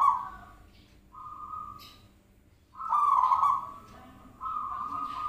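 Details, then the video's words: Zebra dove used as a call lure: faint tones, a short quiet gap, then a loud, buzzy, trilling coo followed by a steady, humming note. "Pancingan Perkutut"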